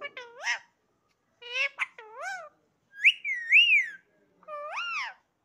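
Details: Parrot indoors, talking and reportedly saying "Sitaram": short groups of rising, voice-like harmonic syllables separated by pauses, then a long wavering whistle and a final arching syllable.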